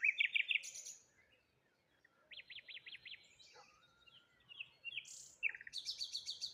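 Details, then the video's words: Morning bird chorus near water and a lone tree, where quick trills and a row of evenly spaced rising whistles alternate with brief silences, ending in a fast repeated chirping run. "Morning Birds Sounds"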